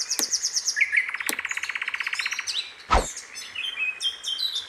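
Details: Wild sikatan londo flycatcher singing in the open: a fast, even trill of buzzy notes, repeated about twenty times, set among higher chirps and squeaky phrases, with a loud knock midway and a steady faint low whistle behind.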